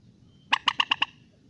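A rail gives a quick run of five harsh, nasal notes, evenly spaced across half a second, over a faint low rumble.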